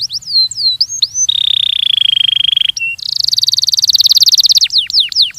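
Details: Training song of a Belgian canary, mixing looping whistled slurs, a long even buzzing trill, a brief steady tone, then a dense rapid rattle and more swooping notes.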